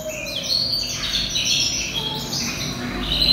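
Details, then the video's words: Ringed yellow canary imported from Europe, about ten months old, sings a short stretch of bright warbling: high twittering notes and brief trills blended into a steady flowing phrase. "Chim Hoàng Yến Nhập EU Vòng 2021 Hót Đảo Giọng Cực Hay || Yellow Canary Bird Singing"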